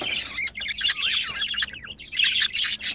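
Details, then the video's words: Budgerigars kept as pets, recorded during mating: dense, fast chattering warble of twisting whistled notes and harsh squawky bursts, nearly continuous with short gaps. "Muhabbet Kuşu Pamuk ve Cafer'i çiftleşirken yakaladım"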